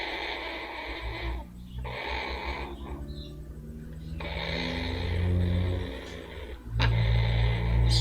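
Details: A pet blue-fronted amazon, a female, gives a low, rumbling, buzzy purr in rough bursts with short pauses while having her rump rubbed, ending in a louder snort-like burst; faint handling noise.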